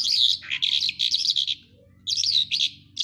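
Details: Singing lark from Quetta delivers fast, jumbled, high warbling phrases in two dense bursts separated by a short pause, with a faint low hum beneath.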